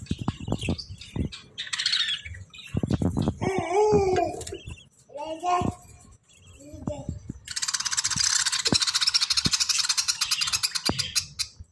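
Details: A very large family of budgerigars in 2023 chatter in a dense flock, a busy mix of buzzy warbles and quick chirps.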